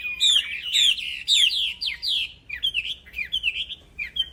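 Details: Training song of a black-throated laughingthrush singing without pause in the 'gacor plong fighter' style: bright whistled slurs, several loud downward sweeps early, then shorter clipped notes repeated about twice a second.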